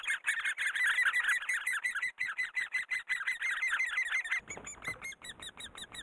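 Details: Great spotted woodpeckers raising young in Korea. Rapid, loud chattering notes repeat about three times per second, each note ringing and harmonic-rich. The series softens after four seconds, then continues more thinly.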